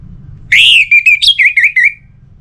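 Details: Orange-headed thrush singing as a lure to get other birds singing. One sustained whistle is followed by a string of short, slightly wavering notes that fall gently in pitch. Faint low background noise.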